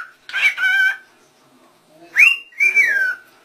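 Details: Rose-ringed parakeet talking, said to call out 'Allah': a raspy, nasal harmonic phrase, a second of quiet, then two squeaky rising-and-falling utterances, with no other sounds.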